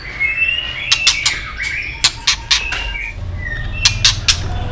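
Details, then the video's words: A female white-rumped shama gives the 'tạch líu' call meant to rouse males for fighting: fainter runs of crisp clicking ticks mixed with short high whistled slurs over a low background hum. "Chòe lửa tạch líu giọng mái kích lửa"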